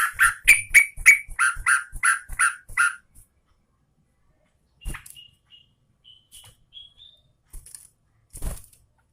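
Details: Sooty-headed bulbul, a female reportedly calling the male, delivering a fast run of eight bright, bubbly notes in under three seconds, then scattered thin whistles and a few softer chirps after a pause.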